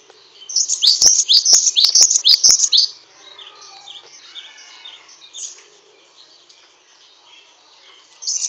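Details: Great tit (Parus cinereus), kept as a songbird: a fast burst of high, sharp chirping notes, about a dozen in quick succession over two and a half seconds, then softer scattered high notes and a brief renewed burst at the end.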